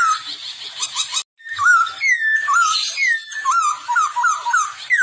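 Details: Chinese hwamei in breeding condition singing a rich, fast song: wavering slurred whistles that rise and dip, laced with harsh buzzy overtones, broken by a brief silent cut after about one second.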